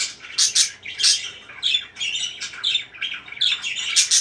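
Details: Chirping parakeet chatter, irregular scratchy high chirps and squawks tumbling over one another, some louder bursts standing out from a continuous busy twitter.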